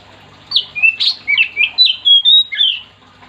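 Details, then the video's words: Oriental magpie-robin (kacer) singing vigorously to get other magpie-robins singing along: a fast string of about ten clear whistles and buzzy slurs, jumping between high and lower pitches. "Kacer gacor yang bikin Kacer lain ikut"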